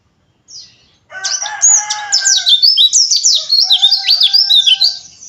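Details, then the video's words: Rough 'ngeriwik' song of an Oriental white-eye, played to stir other white-eyes into singing: after a brief note, a loud continuous run of rapid, high warbling chirps, with steady lower tones running alongside. "PANCINGAN PLECI AGAR NGERIWIK KASAR"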